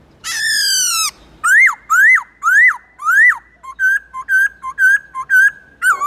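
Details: Many-voiced song of a black-throated laughingthrush, for training young captive birds: one long harsh descending note, four sharp rising-then-falling whistles, then a run of short level whistled chips.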